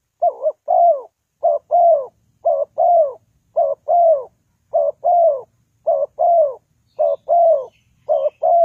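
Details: Spotted dove calling as a trapping lure: about eleven steady, regular paired coos, a short wavering note then a longer falling note, close and clear with quiet background.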